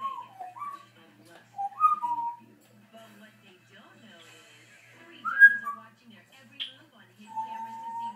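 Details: Pet African grey parrot calling loudly to compete with a television for its owner's attention; clear mid-pitched whistled notes, some sliding up or down, in short spaced bursts, over faint low television sound.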